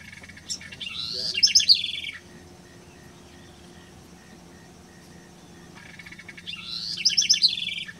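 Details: House wren (Troglodytes aedon) singing at Colonia Carlos Pellegrini, Esteros del Iberá, Corrientes, Argentina, in October 2016: two rapid, bubbling bursts of jumbled trills and chatters separated by a pause.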